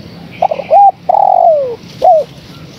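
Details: Spotted dove female calling a male. Brief stuttered notes lead into a rounded coo, then a long descending slurred coo and a final short downward coo, all low and mellow. A faint higher bird chirp sits in the background.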